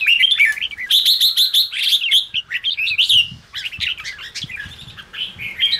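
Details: Red-whiskered bulbul in ché-style song, meant to rouse newly caught caged birds into full voice. A dense, nearly continuous run of rapid chirps, trills and slurred whistles, high and bright, with barely any gaps.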